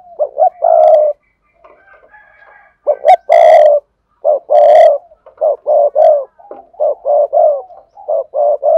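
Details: Lure spotted dove giving the double-voice coo with two endings. Rich coos come in quick clusters, some with sharp clicking attacks, then a fast even run of short coos toward the end.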